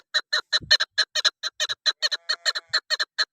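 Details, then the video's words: Female chukar partridge call used by hunters to attract birds: a fast string of harsh, clucking chuk notes, a little over two per second, with faint low thumps in the background. "Madi Chakor Female Hunter Sound Keklik Sesiپہاڑی مادی چکور آواز"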